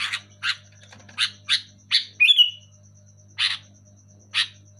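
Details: Loud sooty-headed bulbul in full voice, played to rouse sluggish caged bulbuls: a run of rasping chirps building to a bright, slurred falling note, then two more isolated harsh chirps, with a faint electrical hum beneath.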